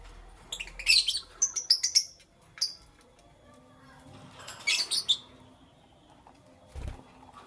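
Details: Lovebirds in the morning: a quick series of shrill, squeaky chirps, some slightly whistled, then a quiet spell, another harsh burst and a soft low thump.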